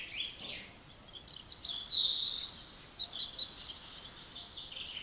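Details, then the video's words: Spotless starling, Sturnus unicolor, giving a dense run of high buzzy, grating notes and a steep descending whistle, with rattling chatter continuing throughout. "Canto dos Estorninho Impecável ou Estorninho Imaculado"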